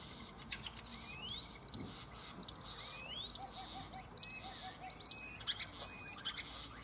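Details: Two male common starlings singing in competition in a cherry tree in Germany pour out a busy jumble of sharp clicks, rising slurred whistles and squeaky chirps, mimicking other birds, chickens and frogs, over a soft hiss.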